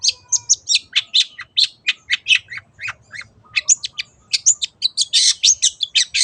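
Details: Cendet (long-tailed shrike) 'teot teot' song used to prompt other birds to sing: evenly spaced, shrill chattering notes, roughly three per second, growing denser and louder toward the end.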